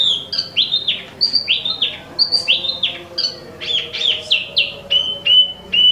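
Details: Imported Wambi mini, also called Tieu Mi, singing actively: a fast string of high whistled notes, some sliding down, some short and flat, repeated at a brisk, uneven rhythm with faint low background hum.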